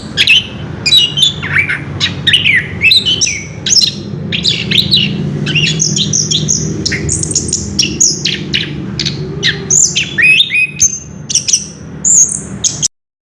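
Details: Long rolling ngerol song by an orange-headed thrush: an unbroken flow of varied whistles, chirps, slides and fast trills across high pitches, ending abruptly in silence, with a low hum throughout.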